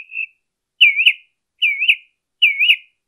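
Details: Mockingbird song from Colton, California, recorded 23 March 2015: a short whistle, then a slurred, dipping and rising phrase delivered three times at even intervals of under a second, with nothing else audible.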